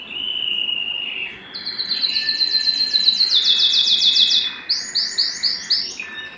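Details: Excited canary wanting to mate, singing a steady rolled note that gives way to a fast, bright trill of repeated notes, then a series of separate rising chirps toward the end.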